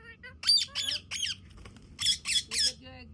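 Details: A pet Indian ringneck parakeet talking with its owner and copying words such as "hello" and "good morning" speaks in a harsh, nasal voice: two quick bursts of three squawky, word-like syllables with a short pause between.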